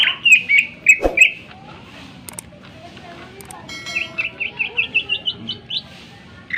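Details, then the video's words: Greater green leafbird song, sharp and lively, meant to stir other birds to sing and become agitated; a cluster of whistled notes, a quiet stretch with clicks, then a rising series of about ten quick chirps. "cucak ijo gacor full suara tajam cocok untuk pancingan agar burung gacor dan emosi"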